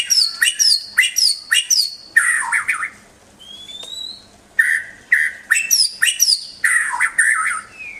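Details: White-rumped shama (murai batu) song for training pet birds: rapid clusters of sharp high notes and lower whistled flourishes, a brief quiet gap with one thin rising whistle, then the rapid clusters resume.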